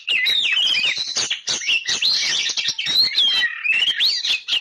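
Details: Oriental magpie-robin singing energetically: rapid varied whistles and chirps, sweeping rising and falling notes packed closely together with scarcely a pause.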